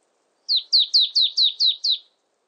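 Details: Marsh tit calling: seven bright, falling chip-like whistles in a steady rapid row, each note dropping sharply in pitch, with no other sounds around.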